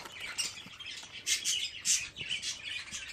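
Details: Raspy, high chick squawks from fifteen young budgerigars in one place, coming in loud overlapping bursts about every half second.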